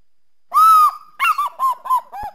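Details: Eagle calling: one long, clear, slightly arched note, then a quick run of four or five short, bouncing notes that drop in pitch and fade; no other sounds.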